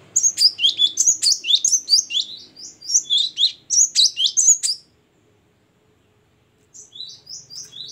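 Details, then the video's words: Loud, chattering song of a great tit (gelatik batu), singing ngeplong and gacor: dense, rapid strings of high falling whistled notes for about five seconds, a short silence, then a quieter run of the same notes. "Ini baru ngeplong dan gacor burung gelatik batu"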